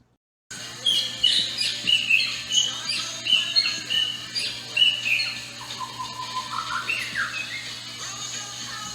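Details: A female White-rumped Shama at a small zoo sings in response to music being played: a rich, fast run of clear, varied whistled phrases that rise and fall, over the background music and a steady low hum.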